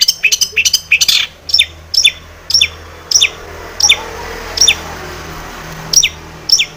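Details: Energetic long-tailed shrike song, full of varied phrases, played to stir other shrikes into singing; a rapid cluster of high notes opens, followed by spaced sharp descending whistles about every half second.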